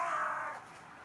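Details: A fat crow lingering by the place where it has been fed every day for years utters a short rasping caw that fades quickly into quiet background hiss.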